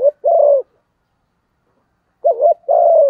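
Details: Spotted dove giving its rival-provoking coo: a long even coo, a pause of over a second, then a short wavering double coo and another long, steady coo.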